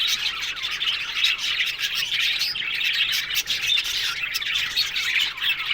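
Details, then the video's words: Many budgerigars in an aviary produce a constant bright twittering, thin rising and falling squeaks and chirps layered over each other in a lively, unbroken chorus. "One Day Parakeet's Sounds Budgies Love Birds HD Sounds No 1"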